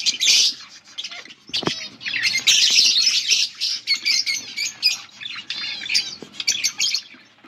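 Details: A group of budgerigars in lively chatter: dense buzzy warbling and clicking, fast rattling trills, and one sharp tap near the start, the chirps coming in quick overlapping runs.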